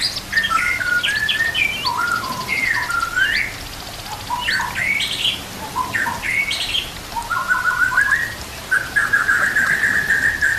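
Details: White-rumped shama song for training young birds, with flowing water behind: hooked, upswept whistles in quick groups, a quieter stretch midway, then long rolling trilled notes toward the end.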